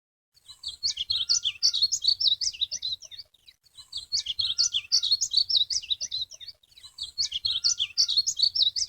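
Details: Painted Bunting (Passerina ciris) singing three sweet, high warbling phrases of jumbled, quickly varied notes, each about three seconds long, with brief pauses between them.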